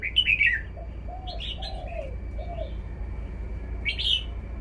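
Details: Red-whiskered bulbul showing off its song phrasing: short bright warbled phrases at the start and again near the end, over repeated low soft coos from doves in the background.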